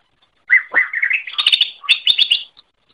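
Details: Greater green leafbird song used as a master recording to teach other birds: a burst of varied slurred whistles and quick chattering notes, rising then holding high, about two seconds long, in a quiet setting.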